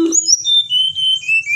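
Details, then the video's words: Pied bushchat, a mountain bird, giving a short phrase: a brief low note, then a long high whistle that steps downward in sustained tones, over faint background hum. "Tledekan Gunung Gacor"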